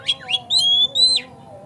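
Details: Oriental magpie-robin lure song meant to spur another bird into vigorous singing and tail-spreading: two quick chirps followed by long, clear, high whistles, one steady and one gently rising, ending in a downward slur.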